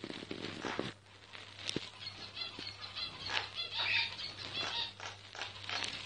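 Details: A myna singing, recorded quietly so as not to disturb it: a dense run of harsh, rasping chatter with scratchy broadband notes and a few brief squeaks, over a steady low electrical hum.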